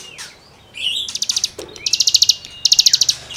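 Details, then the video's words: Cigun song meant for tutoring caged songbirds: a slurred rising note, then repeated quick bursts of high, rattling chirps delivered in tight groups. "CIGUNG GACOR FUL NEMBAK MATERI GESEKAN BURUNG KICAU"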